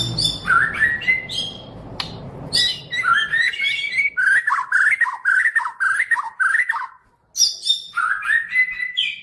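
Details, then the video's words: White-rumped shama of the Medan type in song, rich whistles and rapid chattering notes in bursts, a brief pause near seven seconds, then more fluted phrases; some low background rumble early on. "kicau murai medan"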